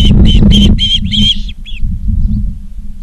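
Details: Loud, close Osprey calls from a Charlo, Montana nest camera, 19 August 2023, afternoon: a quick string of harsh whistled chirps lengthening into slurred notes, then quiet apart from a low rumble.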